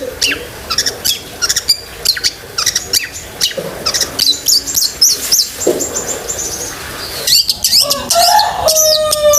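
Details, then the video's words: Long-tailed shrike 'gacor isian' song for training pet shrikes: quick varied chirps and clicks at first, then looping high whistled phrases and a run of clear, evenly spaced whistles near the end. "BURUNG CENDET GACOR ISIAN SEKEBUN"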